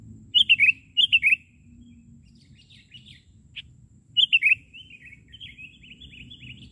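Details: Sooty-headed bulbul, perched on the ground during a bird-trapping session, giving three quick, bubbly, liquid notes in short bursts a second apart, with softer chattering phrases between and a low background rumble.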